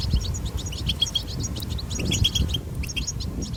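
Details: Short burst of wild European goldfinch batbata twitter: quick, high, tinkling notes tumbling together, set against a strong low wind rumble.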